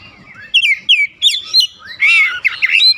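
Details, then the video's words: Home-kept Oriental magpie-robin song for provoking other birds to respond; short bright whistled slurs dropping in pitch, followed by a buzzy, harsher burst and quick chirps. "AUTO RESPON NGEPLONG GACOR KACER ANDA DIRUMAH"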